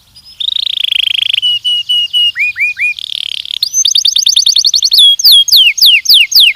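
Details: Song of a Belgian canary, recorded for training: a long buzzy trill, level whistles, short rising notes, a rapid rattle and then repeated falling slurred whistles.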